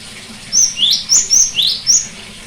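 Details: Song of a cinereous tit, used to coax a bird that has stopped singing: bright high whistles alternating with lower upswept notes, six quick notes in a clear, evenly spaced phrase against low steady noise.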